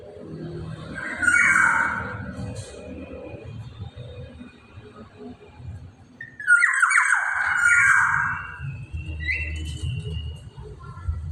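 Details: Black-naped oriole in full song: two fluty, slurred phrases about five seconds apart, each a rich, descending whistle with harsh overtones, over steady low background rumble.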